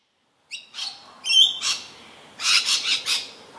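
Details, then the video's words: Rainbow lorikeet, an Australian parrot, calling ceaselessly while feeding frantically and acrobatically, not harassed by other birds or predators; harsh screechy squawks and shrill chattering notes in quick bursts, several clustered near the end. "Rainbow Lorikeets"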